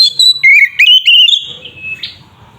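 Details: Kacer (Oriental magpie-robin) singing to provoke rival birds. Clear whistled notes step down, then climb and waver before sliding into a long fading tone that ends in a short buzzy note over a low hum.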